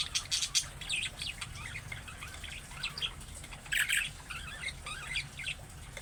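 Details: Budgerigar voice meant to make other budgies answer: busy warbling chatter of twisting high chirps and rasping notes, strongest at the start and again midway, with steady low hum beneath.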